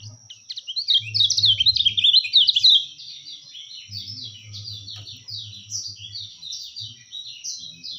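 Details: Kecial kuning white-eye singing as a training and lure recording: loud, fast twittering of high slurred notes for about three seconds, then softer repeated downward chirps, accompanied by a steady high hum and dull low knocks.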